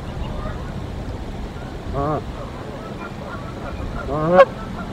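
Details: Canada goose on a Decorah nest, 1 April 2024, with the resident pair fighting off an intruding goose: one softer honk, then a louder harsh honk a couple of seconds later, over a quiet hum.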